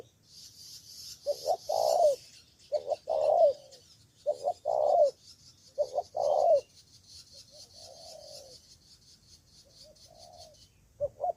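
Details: Spotted dove from Cà Mau, Vietnam, a decoy used to draw in rivals, giving loud paired coos, a short note followed by a long falling one, in a series of four, then softer distant coos; hissing in the background.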